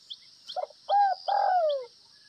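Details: Short burst of gáy gù (bo) from a Northwestern spotted dove: a soft brief coo, a firm hooked coo, then a long full note curving down in pitch, over high insect buzz.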